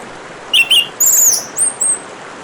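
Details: Orange-headed thrush phrase over gently running water: two quick wavy whistles followed by a thin, very high drawn-out squeal and two short high notes.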